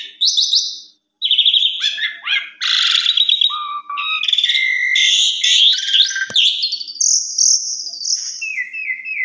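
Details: Asian pied starling delivering a long, loud, varied song intended as an afternoon lure and tutor for young birds, mixing harsh buzzy bursts, clear sustained whistles and falling slurs, with one sharp click midway.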